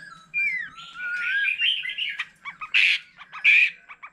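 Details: Older wild-caught white-rumped shama in varied song with a laughingthrush nearby: smooth gliding whistles rising and falling, then short clipped notes and two loud harsh explosive bursts.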